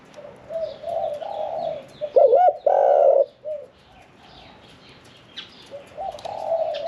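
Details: Caged spotted dove singing 'khan yon 1 kuk' with a medium-pitched voice: a loud burst of hooting coos in the middle, surrounded by fainter cooing from other doves and high chirping birds.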